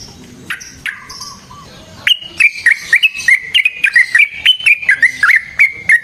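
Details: Yellow-vented bulbul song used as a lure to make other bulbuls sing, with long rolling phrases: a few lower slurred whistles, then a fast run of short chirpy notes near one pitch, repeated about four per second.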